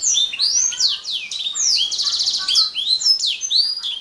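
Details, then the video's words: Atlantic canary song, a rapid string of high sweeping whistles with a rolling buzzy trill in the middle, loud and clear. "Kicau Burung Kenari"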